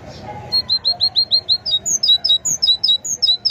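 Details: Loud, clear great tit song: a steady run of identical high notes repeated rapidly, then shifting into alternating higher and lower paired notes, forming a bright, ringing, seesawing rhythm throughout.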